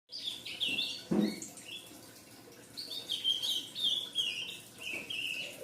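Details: Fledgling ultramarine grosbeak giving high, thin chirps in short slurred runs, with a brief low thump early on, then a longer series of wavering notes that drop slightly in pitch near the end.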